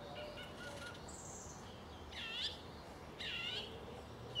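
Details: Song thrush singing in South England, somewhat distant: two matching descending, slurred phrases about a second apart, preceded by a thin high whistle, over a steady low hum.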